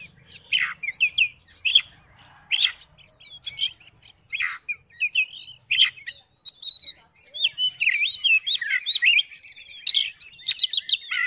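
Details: Oriental magpie-robin song played to coax a quiet magpie-robin to sing; separate sharp, falling whistled notes give way to a fast, continuous jumble of high twittering and chirps.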